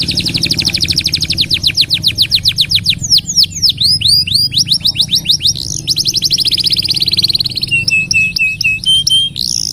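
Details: A canary sings a long rolling song, used as a master recording for other cage birds: rapid, even trills, then looping swept notes, then more buzzy rolls and short flat whistles.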